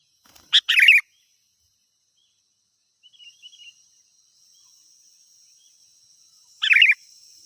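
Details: Vigorous sooty-headed bulbul song meant to draw in wild birds: a chip and warbled phrase, a faint soft twitter, then another phrase near the end, over a thin high hum.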